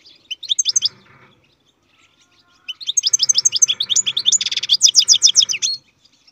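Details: Captive-bred European goldfinch singing: a short burst of bright, rapid tinkling notes, a pause, then a longer run of quick, high, liquid twitters with a buzzy rattle in the middle, over a faint low hum.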